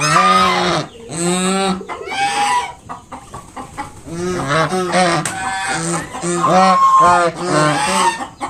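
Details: Protective swan mother with her five newly hatched young gives loud, sustained nasal honks in quick succession to chase off a nearby person, some calls drawn out and others short and clipped.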